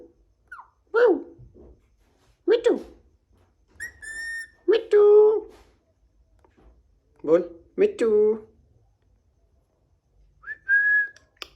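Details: Green pet Alexandrine parakeet talking, uttering short mimicked speech-like words in bursts a second or so apart, interspersed with brief clear whistles and a few squawky notes, in a quiet room.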